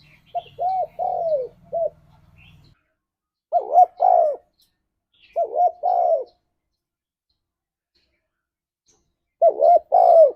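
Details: {'caption': 'Spotted dove cooing in the ngalas style, a lure for pet doves to answer: a full phrase of short arched coos ending in a drawn, falling note, then three shorter two-part coo bursts spaced a few seconds apart, with a low hum early on.'}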